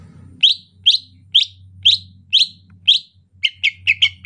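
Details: Greater green leafbird in the rainy season, 'ocehan lemas' style. Six rising chirps come roughly every half second, then a quick burst of four stacked chips follows, against a steady low hum.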